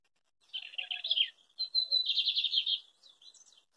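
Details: Male lined seedeater singing while facing the recorder on a farm in rural Coronel Murta, Brazil. The song is a fast, scratchy, twittering phrase: a jumbled opening, then a brief whistled note leading into a run of rapid buzzy notes, with softer notes trailing off.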